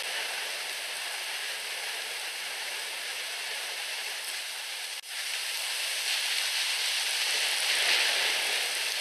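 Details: A steady, loud hiss like rain or rushing water fills the whole recording, broken only by a brief dip at about five seconds, with no animal voices.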